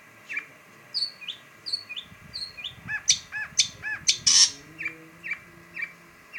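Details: Long-tailed shrike (pentet) song: a varied run of sharp chirps and short whistled notes, some falling, with brighter arched notes and a loud harsh burst in the middle, given about twice a second over faint low background rumble.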